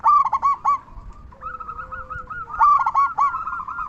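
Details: Local zebra dove with a loud voice, used to entice other zebra doves into song. Two bursts of fast, bubbling coos open and close the moment, joined by a sustained lower note and steady softer cooing.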